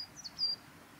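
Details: A male Japanese robin singing at Yanagisawa Pass on 28 April 2019 gives a brief burst of high, thin whistled notes ending in a sustained piercing whistle, with faint background hiss.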